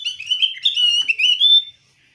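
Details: A Javan grey-throated white-eye calling to a rival to provoke it into singing gives a rapid, continuous high twittering warble of slurred notes for under two seconds, then stops; nothing else is heard.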